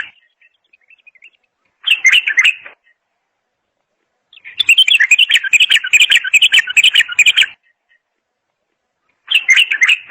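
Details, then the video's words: Bulbul pouring out dense chattering trills in bursts, the longest about three seconds, with quiet gaps and faint chips between. "اجمل صوت بلبل"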